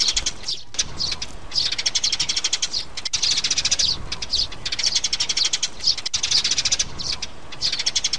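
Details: Sparrows, a mother with her chicks, in a recording played to lure birds into traps: loud, dense bursts of rapid high chirps lasting one to two seconds, separated by short gaps, harsh and continuous within each burst.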